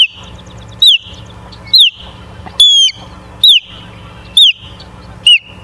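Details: Osprey at a nest in Charlo, Montana, recorded 7 September 2023 at 09:42 by a live nest camera: loud, clear whistled notes sliding downward, repeated about once a second, six in all, over a faint steady background hum.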